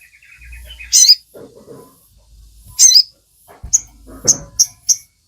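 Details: Crimson Sunbird, called sogon, singing as a lure to get caged birds singing: two loud high chirping bursts, then quick thin high-pitched notes at the end, with a faint scratchy low murmur underneath.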